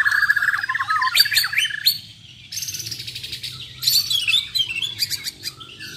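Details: Bornean white-rumped shamas from Muara Wahau in a singing contest, giving rich whistled phrases then high sharp chips and trills, broken by a brief quieter gap, with several birds overlapping.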